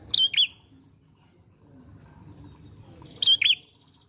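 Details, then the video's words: Lure recording of an ashy prinia in full voice: two bright, high, twisting chirps at the start, then a pause with soft background hum, then another matching pair near the end. "Prenjak Pala Merah Gacor Mengalun"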